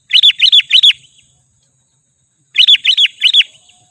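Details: Sooty-headed bulbul lure call played to agitate wild birds. Two clean bursts of three quick arched, whistled notes each, separated by more than a second of silence.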